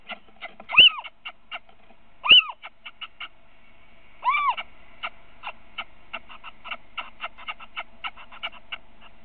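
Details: A webcam in Winterswijk, Netherlands, records a third Little Owl calling at 17:55 on 3 February 2017 during a short meeting: three loud, ringing, mewing kiew calls that arch up then down, a second or two apart, with quiet, dry ticking clicks throughout.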